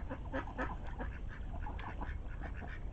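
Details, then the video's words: Ducklings with ducks, giving a busy run of short peeping and quacking notes, several overlapping every fraction of a second, over a steady low rumble of background noise. "Amazing Ducklings"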